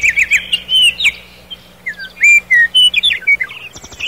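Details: Nightingale in a nighttime forest: clear slurred whistles and fast chirps in dense, rhythmic bursts, a short pause, then more loud whistled notes and a rapid rattle at the end.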